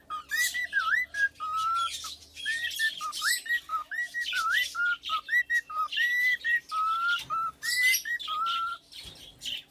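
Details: Serenade by a tame male cockatiel aged three, sung to its owner as a rapid run of whistles with swooping upward and downward slurs and held notes, mixed with scratchy rustles and clicks.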